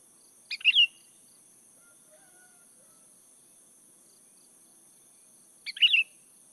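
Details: Sooty-headed bulbul lure song: two short bubbly, chattering phrases about five seconds apart, separated by near silence.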